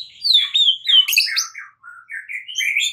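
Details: White-rumped shama singing in the morning, a fighting-style song: varied high whistled notes sliding and warbling, then a short pause before lower rising phrases climb back up.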